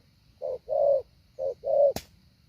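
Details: Trained decoy spotted dove giving two short-long pairs of hoarse low coos in the 'hạ bổi' style, ending with a sharp click.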